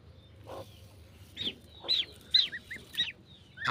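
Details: Domestic goslings cuddling under the care of their mother goose on a farm; about five short, high peeps come in the second half, some as paired notes, over a quiet background.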